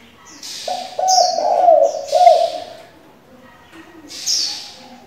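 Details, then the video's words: Spotted dove used as a decoy and for training young doves, giving varied calls: a low rolling coo of several linked pulses lasting about two seconds, with brief higher hissing sounds in between. "Cu gáy đảo giọng liên tục, kích bổi hay, luyện CU non chuẩn!"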